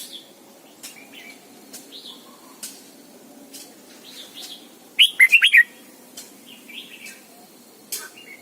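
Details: Morning song of a caged lure Red-whiskered bulbul, double-note forest style, for training birds: one loud burst of five fast warbled notes midway, with faint chirps from other birds around it.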